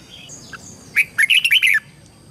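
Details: Red-whiskered bulbul song played to help young birds learn to sing: one short phrase of five or six rich, warbled notes, slurring up and down, after a few faint thin notes.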